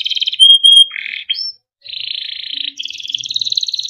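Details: Timbrado canary training song with a bright whistled note, a low buzzy burst, brief silence, then long continuous rolling trills shifting upward in pitch.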